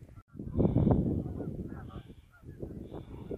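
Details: Geese on a river during a short afternoon scouting trip, 12 11 17: nasal honks from a flock, several overlapping calls at the start, then scattered honks over heavy low wind rumble.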